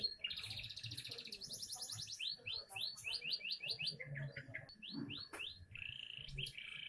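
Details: Young canary singing varied phrases: a fast buzzy trill, then repeated rising whistles about three per second, chattering notes and a sustained warbled ending.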